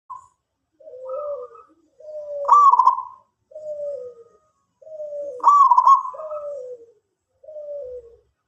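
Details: Local zebra dove singing actively, delivering low, slightly falling cooing phrases in a steady series, with two louder, brighter rolling bursts near the third and sixth seconds; quiet, clean background with no other sounds.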